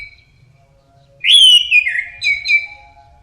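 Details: Teler-style song of an orange-headed thrush: one loud, clear whistled phrase that sweeps upward, then slides down in wavering steps and ends in two brief echoing notes, with a faint steady low hum.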